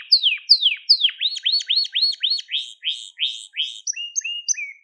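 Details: Singing crested Gloster canary, recorded to train young canaries: falling whistles lead into a rhythmic series of looping upswept notes about four per second, ending with short flat whistled notes.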